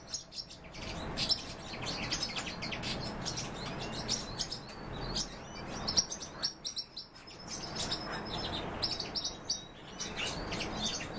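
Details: Great tit giving bright, high-pitched chirps and short sharp notes in dense bursts, with brief pauses between clusters, over a steady background hiss.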